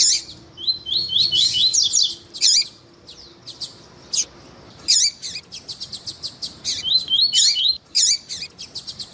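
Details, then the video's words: Double-collared seedeater, male singing with a calling female, played to warm up males. Bright high twittering phrases of quick rising slurred notes alternate with sharp chip bursts and short pauses, with a quiet steady hum underneath. "ESQUENTAR COLEIRO TUÍ TUÍ COM COLEIRO TUÍ-TUÍ E FÊMEA CHAMANDO PARA ESQUENTAR COLEIRO TUÍ-TUÍ"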